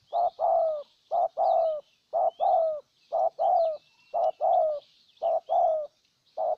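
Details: Decoy spotted dove in Ninh Thuận, Vietnam, cooing strongly to lure a wild bird: low, hoarse paired coos, a short note then a longer falling one, repeated steadily about once a second, with faint high bird twitters behind.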